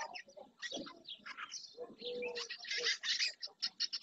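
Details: Early June flock of barn swallows, many juvenile, at the marsh shore of Doñana National Park, Spain; continuous high rapid twittering and chirps, with a lower sustained whistle from another bird midway.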